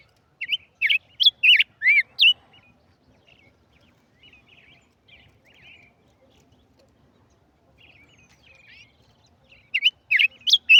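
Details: Tigrillo singing: a burst of loud, sweet, high whistled notes, then soft, scratchy twittering for several seconds before another loud whistled burst at the end.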